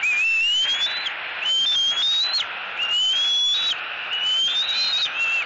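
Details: An eaglet squees loudly at its mother for fish during a tug-of-fish at a southwest Florida nest, 3 April 2018: four long, thin squeals rising steadily in pitch, about every 1.4 seconds.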